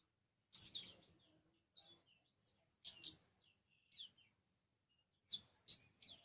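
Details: Three clusters of high, piercing chirps from an orange-headed thrush arrive about every two and a half seconds, with soft twittering fragments between them.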